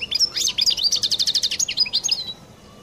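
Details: European goldfinch, Collo type, sings its distinctive song: liquid twittering notes that break into a fast, regular series of clicking chirps, then tail off in a few slurred whistles.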